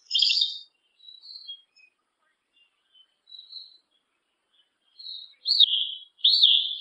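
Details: Yellow-legged thrush (sabiá-una) singing short whistled and buzzy notes with gaps, finishing with two louder slurred whistles.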